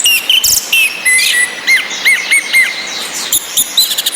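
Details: Female orange-headed thrush calls over rain sounds with a relaxed male alongside, meant to raise breeding drive in quiet males. A steady mid-high tone carries a string of short looping, upslurred whistles repeated about twice a second.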